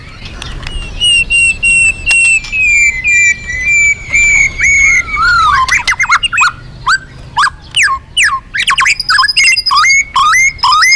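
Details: Loud, energetic Magpie-robin song meant as a lure for other birds: a long descending whistled slur opening, then quick sharp upslurred and downslurred notes, clicks and squawky chips in rapid irregular bursts.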